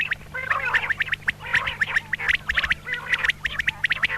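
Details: A female common quail, or batair, making rapid rattling and ticking calls with short squeaky harmonic notes mixed in, almost without pause, over a low constant hum.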